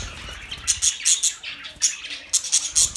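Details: Budgerigar gives sharp, high squeaky chirps in quick clusters, separated by short quiet gaps.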